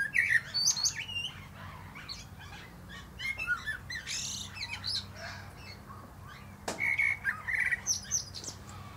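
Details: Common blackbird singing atop a plum tree, phrases of rich whistles followed by high, scratchy chattering twitters, with a sharp click midway and a quiet low background hum.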